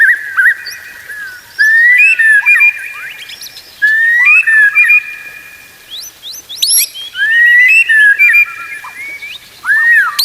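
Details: Training song of a white-rumped shama for teaching other shamas: repeated phrases of long level whistles ending in quick slurred notes and high chips, each phrase about two seconds long with short gaps between.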